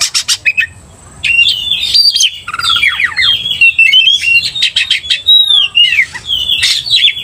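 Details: Oriental magpie-robin provoked to anger by another loud, vigorous singer: rich varied song of whistled slurs, descending sweeps and buzzy notes around mid-high pitch, broken by short harsh bursts and brief pauses.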